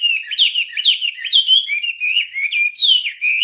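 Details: Wambie master song for training songbirds: continuous, quick warbling of looping whistled notes rising and falling, with brief high upward sweeps. No other sounds.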